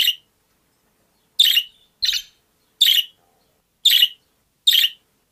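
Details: A budgie's scratchy, noisy chirps, each about a quarter second long, spaced roughly one second apart after an opening pause; a quiet background.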